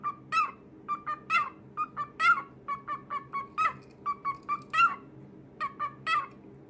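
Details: Pet cockatiel singing: short clipped notes repeated in uneven bursts, some sharper louder chirps among them, over a steady low hum indoors.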